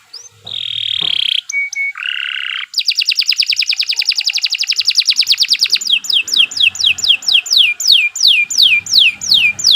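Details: Canary singing a long, vigorous song for tutoring young songbirds: a steady high whistle, short notes, then a fast even trill of rapid pulses, followed by a slower series of downward-sweeping whistled notes.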